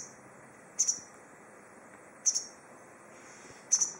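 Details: White wagtail (Motacilla alba lugens) calling from a tree in Goryokaku Park: three sharp, high double-note chirps about every one and a half seconds over a steady, thin insect-like hiss.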